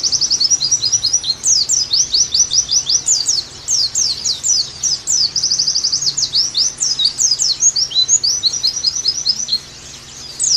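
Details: A pet Oriental white-eye played as therapy and song-tutoring audio: a long, rapid stream of thin, high, sweet twittering notes, bursts running almost without pause over faint background hum.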